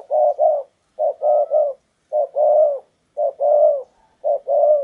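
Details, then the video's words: Perched decoy spotted dove luring a wild bird, repeating a clean, deep phrase of a short coo followed by a longer drawn croo, roughly once per second, in quiet surroundings. "chim cu gáy mồi cây"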